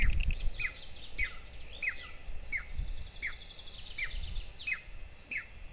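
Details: At breakfast on 22 June 2024, two golden eagle chicks at a Lahemaa, Estonia nest beg with a rapid series of piercing, down-slurred peeps, about two each second, over faint rustling.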